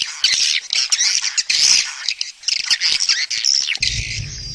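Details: Swiftlet mating chatter: loud bursts of rapid scratchy chirps separated by brief gaps, ending in a thinner sustained whistle over a low hum.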